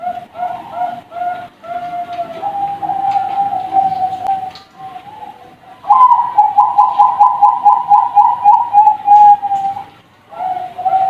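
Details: Young Bangkok-type zebra doves (perkutut) from a bird farm singing: rapid runs of low, mellow cooing notes, some stretched into a level trill, rising briefly into a louder quivering burst of about ten notes before fading.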